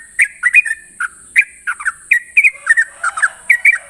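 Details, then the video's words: Long ropel song of a sooty-headed bulbul at morning: crisp short whistles in quick clusters, some slurred downward, over a constant high thin hiss. "Ropelan trucukan gacor terbaik penuh emosi pagi hari"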